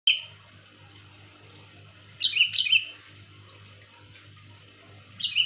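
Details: Sooty-headed bulbul giving a loud call used for luring: short bubbly notes around the upper-middle range, one phrase at the start, a double burst near two seconds and another at the end, over a steady low hum.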